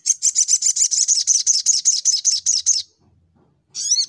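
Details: Sunbird singing in fighting mode: a fast run of high, sharp, buzzy notes in quick even succession for nearly three seconds, then a short silence and a fresh burst of high, slurred notes.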